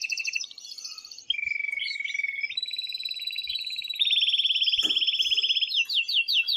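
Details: Aroused male canary in strong song meant to stir the female toward mating, running through rapid rolled trills, a lower steady trill, then a loud fast pulsed tour and sharp repeated notes.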